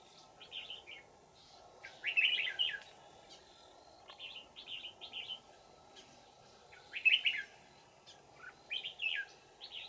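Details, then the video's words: Wild red-whiskered bulbul, an old forest bird, being trapped with a decoy in Vietnam on 20 December 2018; short warbled phrases of bright rising-and-falling notes, repeated in bursts every few seconds over a steady low hum. "Bẫy chào mào Già rừng giọng chuông xoắn tít"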